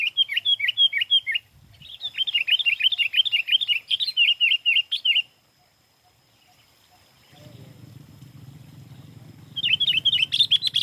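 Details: Sooty-headed bulbul singing, used for luring: bursts of rapid, bright chirping notes repeated in quick series, a pause of near silence, then a low rumble before the chirping returns.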